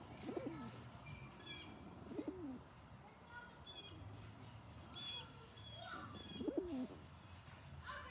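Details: Rock pigeon, a male acting as a bully toward other pigeons and getting vocal: three low, rolling coos, each dipping then rising, spaced about two seconds apart, with faint higher chirps from other birds in the background.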